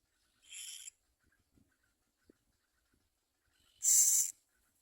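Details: A common myna gathering food to feed its young gives two harsh, hissing rasps about three seconds apart, the second much louder. Only a few faint ticks are heard between them.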